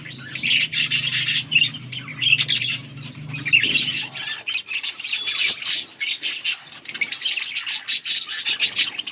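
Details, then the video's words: Budgie flock, dated August 15, 2024, keeps up a busy stream of high squawky chirps and rapid warbled twitters in pulsing bursts; a low droning hum sits beneath the first four seconds, then stops. "Budgies sound for lonely birds birds chirping sounds"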